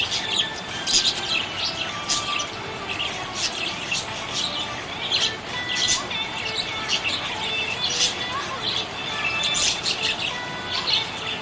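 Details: Happy pet budgerigar chattering over about eleven seconds: repeated bursts of shrill twitters and squeaks, interspersed with thin sliding whistles, with a faint background of steady tones.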